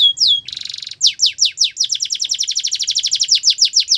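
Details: Canary singing for song training: a couple of clear whistles, a short buzzy trill, then a long steady run of quick downward-sweeping notes.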